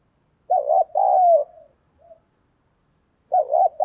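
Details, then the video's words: Spotted dove decoy cooing to bring in wild doves, 'thổ' style voice: one full phrase of a wobbling double note and a sliding coo with a soft tail, then silence before the next phrase begins. "cu gay kich boi nhanh noi hàng ngày mở lên là bổi gáy"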